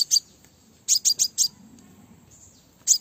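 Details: Crimson sunbird (Aethopyga siparaja), female call: female calling to attract males.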